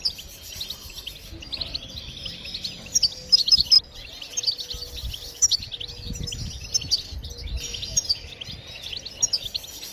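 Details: European goldfinch song used to stimulate other birds to sing, meant to draw out all its hidden songs: continuous fast, high twittering with liquid trills and sharp chirps, a faint low rumble beneath.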